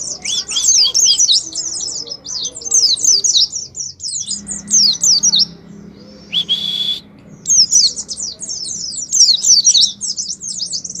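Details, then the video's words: Oriental white-eye song used as a therapy lure to bring a pet white-eye into full song: dense, high, jittery twittering runs, interrupted by a short buzzy harsh note before the rapid twitter resumes. "Terapi suara pleci ngalas , pancingan pleci ngalas awass nyaut"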